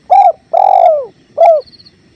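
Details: Spotted dove cooing beside a clear flowing river: a short coo, then a long sustained note that droops in pitch at its end, then a final short coo. Soft high twittering carries on in the background.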